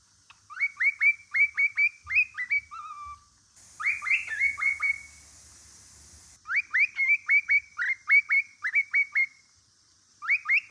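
A male cockatiel sings a rapid series of bright, rising whistled phrases to attract a mate.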